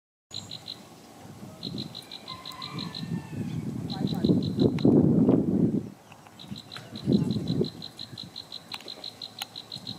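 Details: Plain prinia (Prinia inornata herberti) at Samut Prakan, Thailand, 4 October 2018, giving rapid runs of thin, high, buzzy notes in bursts of one to three seconds, over low croaking frogs and a steady rumble.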